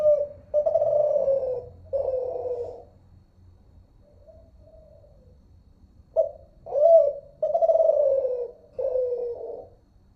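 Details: Spotted dove (terkukur) giving the Kelantan-style song in Malaysia, unedited: repeated low mellow coos in two phrases, each a short note, a looping croo and a long trailing coo, with faint softer coos between.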